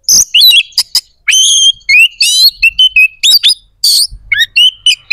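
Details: Energetic White-rumped shama song used to stimulate other shamas' aggression and breeding urge, a near-continuous run of clear rising whistles, sweeping slurs and sharp chips, loud and varied.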